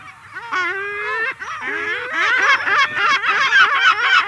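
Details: An adult lesser black-backed gull, recorded close up, gives long calls before attacking a juvenile: a drawn-out rising wail, then a fast run of loud, harsh, laughing 'kyow' notes, about three or four a second.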